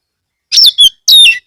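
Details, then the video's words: Loud lure song of an Oriental magpie-robin, played to get other magpie-robins singing: two piercing high whistled phrases, each sweeping down from a sharp start into a trailing note, with a brief gap between. "pancingan kacer gacor"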